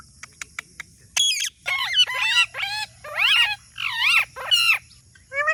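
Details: Talking parrot making a series of short clicks, then rising and falling warbled calls and wavering squeals in quick succession, with a low hum beneath.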